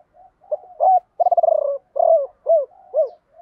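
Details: Spotted dove used as a lure bird, cooing to call wild birds in a three-part style: soft mellow coos, a rolling tremulous purr, then several clear hooting notes, all low-pitched in an otherwise silent recording.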